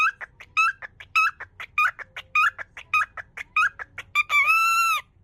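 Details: Pet cockatiel greeting a visitor, repeatedly trying to say "yoku kita ne" ("welcome") but too flustered to finish. Quick bursts of whistled, chattering syllables, then a final long, bright, wavering whistle.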